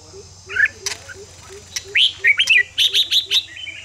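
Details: Red-whiskered bulbul song meant to bring a bird into fighting song, a short whistle, clicks, then a loud series of bright rising and falling whistled notes, with a faint low repeated chirp behind.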